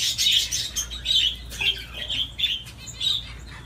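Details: Pet budgerigar playing on a swing makes a string of short, bright chirps, roughly one per second, between softer scratchy chatter, with a low hum behind.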